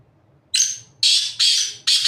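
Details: Black francolin perched on top of a rock, giving a harsh, grating call of four loud rasping notes. The first note is a thinner one with a whistled streak, then three broad scratchy notes follow at roughly half-second spacing.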